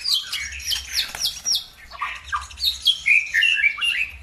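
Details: Lure recording of bird song meant to get other birds answering and singing: a lively, varied run of high whistled swoops, sharp chirps and squeaky notes, closely spaced, over a faint low hum.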